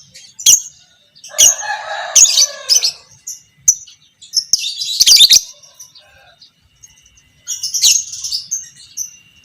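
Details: Fighter lovebird, pastel creamino (biola pb creamino), chattering as a training master for other lovebirds; shrill high chirps and bursts with a lower buzzy harmonic phrase early on and a dense burst midway.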